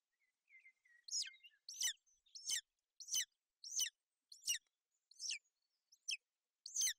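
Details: On a Bucovina nest on 28 May 2021, a female golden eagle shelters her chick from rain and cold. About nine high, sharp, downslurred chirps come in a steady series, preceded by soft whistles.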